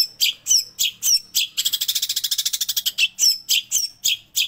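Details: Long-tailed shrike song filled with mimicked sparrow and prinia calls: loud, harsh, high chirps repeated rapidly, broken midway by a fast rattling trill of about twenty notes, then more sharp chirps and thin whistled upslurs.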